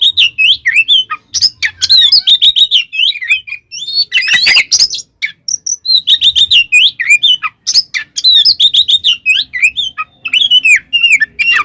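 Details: Oriental magpie-robin in fighting song to agitate rival magpie-robins: fast varied chattering and whistled notes, a harsh noisy burst around four seconds, then lively continued twittering phrases.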